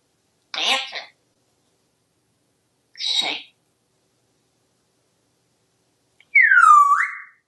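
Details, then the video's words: Pet parrot calling after being ignored while it danced: two short, harsh, raspy bursts about two seconds apart, then a louder, clear tonal call that slides downward and levels off, rich in harmonics. Quiet room otherwise. "This happens when you ignore a parrot who dances for you."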